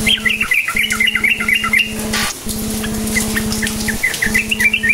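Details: Cukcuk nguplik song of a sooty-headed bulbul, meant as a lure for silent birds: rapid bubbly chirping notes in a dense burst, a pause, then more scattered tweets, over a steady droning hum.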